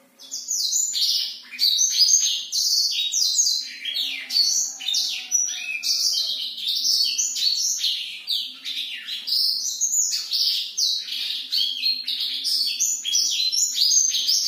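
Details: Black-throated canary singing vigorously at night: a long unbroken outpouring of fast, high-pitched chirps, trills and sliding whistles, dense and varied throughout, with a brief lower drawn-out note near four seconds and a faint low hum.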